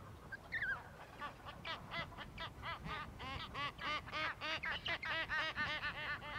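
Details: Emperor penguin chick begging for food from a parent in Adelie Land, Antarctica, in January: a falling whistle, then a rapid run of arched, harmonic-rich whistled notes, about four a second, growing louder.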